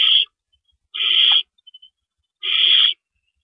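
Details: Owls at a nest at about 4:30 AM on April 4, 2012, during rabbit prey deliveries; three drawn-out, harsh hissing screeches, each about half a second, separated by roughly a second of quiet and a few faint ticks.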